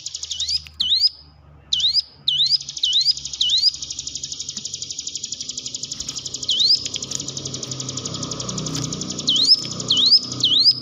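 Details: Lure recording of hill prinia song for training caged birds: a continuous high buzzing trill overlaid with repeated swooping notes that dip then rise, bunched early and late, over a soft low hum.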